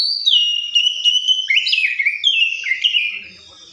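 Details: Oriental magpie-robin song: a sustained clear whistle that steps down, then a series of sliding, slurred whistled notes falling and rising in a continuous, varied phrase.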